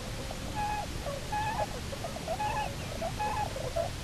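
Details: Cahow pair, Bermuda petrels returned to Nonsuch Island on October 29, 2018, heard via live camera: clear nasal notes with wavering tails, repeated roughly every second, against a constant low rumble.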